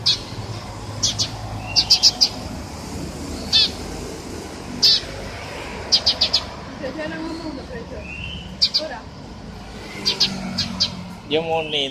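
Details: Scattered high chirps from a Eurasian tree sparrow, some doubled or tripled, over a murmur of human voices and background hum.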